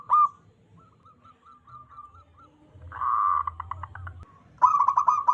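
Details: Local wild zebra dove calling, suited to luring doves for trapping: a short bright coo, soft repeated notes, a buzzy burst, then a loud rolling trill, all over low background rumble.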